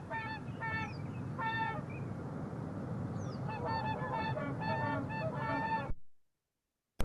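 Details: A rare Whooper Swan recorded in Washington State gives loud, ringing, trumpet-like honks in short bursts, roughly one every second, over a steady low rumble of wind or distant noise.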